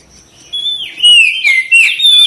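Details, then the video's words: Oriental magpie-robin singing actively, used as a therapy recording to spur quick response and tail display. A thin high note leads into several loud, swooping whistled phrases that dip and rise. "TERAPI KACER CEPAT RESPON GACOR BUKA EKOR"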